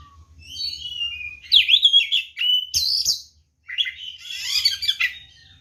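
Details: Provocative fighting song of a white-rumped shama, used to rouse rival birds: varied whistles and slurred warbles, a loud burst, a brief pause, then a denser chattering, scratchy passage, with a low background hum.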